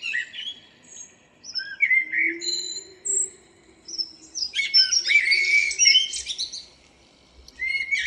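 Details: A local blackbird sings in the morning, 02/04/2013. Thin high whistles are followed by a dense, chattering burst of squeaky notes, and a faint low hum runs beneath early on.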